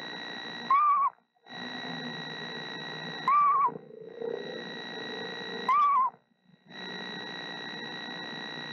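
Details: Female screech owl singing softly to her eggs while incubating, in late March. Three wavering, slightly falling whistled phrases arrive about every two and a half seconds over a steady electrical hum.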